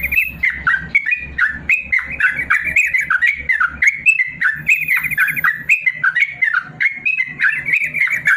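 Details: Song of a yellow-vented bulbul in the long rapid 'ropel panjang' style, used as training for lazy caged birds: busy, rapid chattering phrases with brief trills and sharp slurs, plus a low droning hum in the first half.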